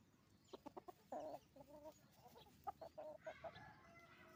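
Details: Hens and roosters on a chicken farm: a lively sequence of loud, short clucks and longer drawn-out notes in quick, irregular succession, with faint chirping of other birds behind.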